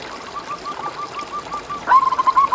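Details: Zebra dove cooing for a lure recording aimed at caged doves: a distant soft run of evenly spaced notes, then a closer, louder quick trill at the end.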